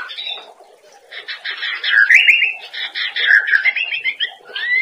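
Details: Cage-bird training song of a white-rumped shama: quiet opening whistles building into continuous buzzy chatter with bright sliding whistles layered over it.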